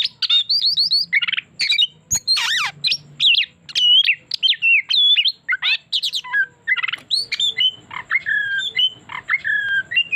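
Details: Oriental magpie-robin singing as a lure bird, a long run of fast varied whistles, trills and harsh buzzy notes delivered almost without pause, ending in clearer drawn-out whistles, faint hum beneath.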